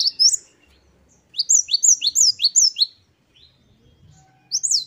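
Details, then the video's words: Great tit in full song, one of ten wucit2 variations: a brisk string of high paired notes, about six in a row, bracketed by shorter fragments and a faint low hum. "Glatik Wucit2 10 variasi Masteran Gelatik Gacor"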